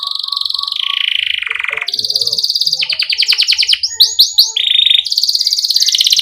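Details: Canary in continuous song with pauses, meant to encourage young canaries to sing: rolling buzzy trills that change pitch, a stretch of quick rising notes, short whistles, and a bright high trill.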